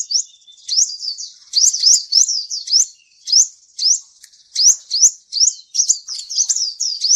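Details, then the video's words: Ninja sunbird song used as a lure to get a reluctant bird singing: rapid high thin twittering of rising slurred notes in quick bursts separated by short pauses. "PANCING SUARA Burung Kolibri Ninja yang males bunyi agar rajin bunyi,gacor, dan ngeplong"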